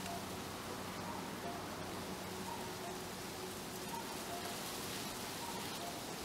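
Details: A common cuckoo heard on a June morning in a Japanese garden, faint and distant, gives a two-note 'cuck-oo', high then lower, about every one and a half seconds beneath steady rain-like hiss of wind and water and a low hum.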